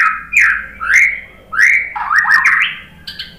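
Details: White-rumped shama replying to a lure recording with sliding, rising whistles repeated in quick succession, ending in a stepped, upward-moving phrase, with faint low background noise.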